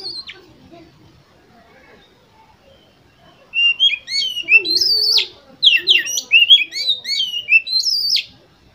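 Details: Oriental magpie-robin song meant to stimulate competition birds. A quiet stretch with soft low sounds gives way to a long, loud run of varied whistles, rapid twitters and high sliding notes.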